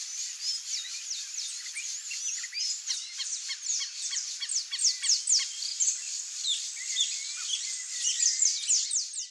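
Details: A wild flock of Brazilian teal (Amazonetta brasiliensis) gives a dense chatter of thin, high whistled notes, several each second, overlapping throughout with no other clear sounds.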